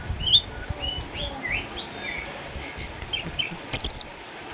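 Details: Caged eight-year-old orange-headed thrush from Sukabumi, a former champion now kept at home because of cataracts, still singing keenly: high thin squeaky notes open, then soft mid whistles, then a run of sharp bright high chips.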